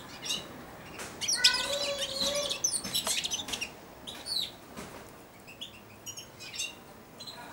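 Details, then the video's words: Four-month-old caged European goldfinch babbling subsong beside and on a hand while hand-fed: dense bursts of high twittering, buzzy notes and short whistled phrases, loudest in the middle seconds, then scattered chirps, with faint rustling. "καρδερινούλα κελαηδάει δίπλα στο χέρι αλλά και πάνω σε αυτό!"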